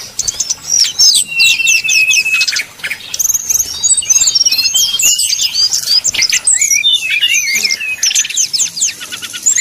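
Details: Sumatran red-crowned leafbird giving a fighting contest-style song, a continuous torrent of sharp high chirps, quick trills and slurred whistles at a rapid pace, with one short pause.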